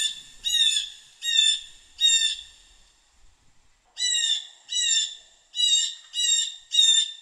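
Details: Blue jay (Cyanocitta cristata) giving harsh, nasal jay calls in quick runs of three, a brief pause, then two more runs of three, with no other sounds standing out.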